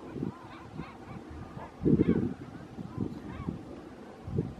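Great crested grebe giving harsh, low croaking bursts at irregular intervals, with fainter nasal, wavering notes between them.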